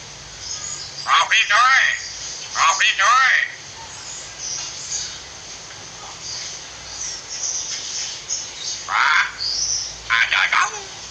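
A common hill myna imitates speech in short, voice-like phrases with rising and falling harmonics, ending in a few sharp whistles over a faint steady hiss.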